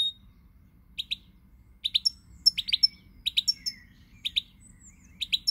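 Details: Song of a European goldfinch, dated 20 March 2020: lively, high tinkling twitters in quick paired notes, building into a rapid run of bright chirps with brief pauses.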